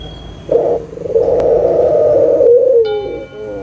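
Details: A single long, low, steady coo from a local puter (Barbary dove), used as a lure call to get silent doves calling again; a short lead-in note comes first, with faint high tones in the background.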